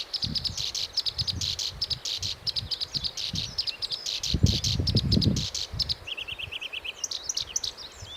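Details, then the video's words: Black-browed reed warbler song: long series of rapid, evenly repeated high chattering notes, then a short run of quick lower ticking notes and a few squeaky phrases, over intermittent low wind rumble. "コヨシキリの鳴き声（Black-browed reed-warbler singing）"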